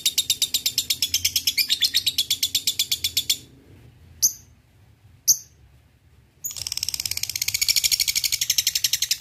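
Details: Lovebird ngekek song used as a lure to provoke rivals: a rapid, even, high chattering trill for about three seconds, a pause broken by two sharp high notes, then the fast chatter resumes.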